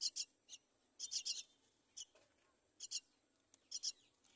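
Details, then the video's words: Myna chick at the side of the nest, brought there by its mother: paired high chirps repeated in short bursts, about a dozen notes across a few seconds. "Mother myna brings baby to the side of the nest"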